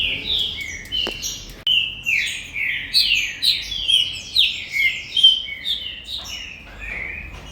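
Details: Captive-bred green-winged saltator from a commercial breeder, bred as a singer: a varied run of clear, loud whistled phrases, slurred down and up, about two notes each second, over low background hum.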